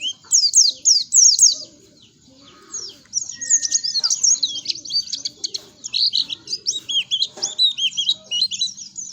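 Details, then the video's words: Oriental white-eye song meant to bait untrained birds into singing fast: a few loud, sharply falling chirps, a brief lull with one thin whistle, then a long lively stream of twittering high notes. "COCOK BANGET NI BUAT PANCINGAN BURUNG PLECI BAHAN BIYAR CEPET BUNYI"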